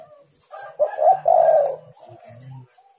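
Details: Spotted dove call meant to make other doves answer: one phrase of a short note followed by a long, hoarse, slightly falling coo, trailing into faint low hums and softer notes.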